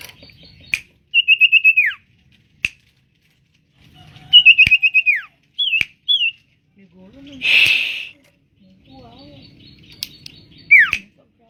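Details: Tame common iora in vigorous song: rapid trills of clipped, pulsed whistles ending in a falling slur, repeated at intervals, with short single notes between phrases and a soft rustle partway through.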